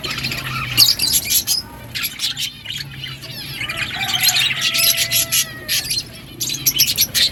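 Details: Several caged budgies in a breeding colony eating green food; busy overlapping high chatter and short chirps, with scratchy rasping sounds and a low background hum.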